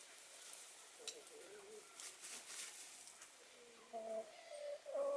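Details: Spanish white face hens and Australorp black hens sunbathing, giving soft, low, tonal murmuring calls, a few short notes early, then a cluster of louder drawn-out ones toward the end, over faint background hiss.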